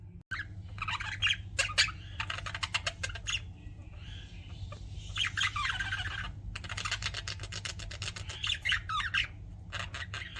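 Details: Pet budgerigars chirping: dense bursts of scratchy, buzzy chatter and squawks in quick clusters, with short pauses between flurries and a steady low hum underneath.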